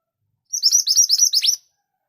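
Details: Scarlet minivet (Pericrocotus flammeus), possibly singing actively, giving a quick burst of about nine high, thin, down-slurred notes chattered over roughly a second, with no other sounds.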